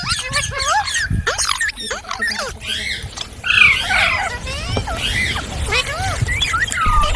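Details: Green parrots calling in scattered, arched chirps and squeaky notes, with rustling and patter between the calls.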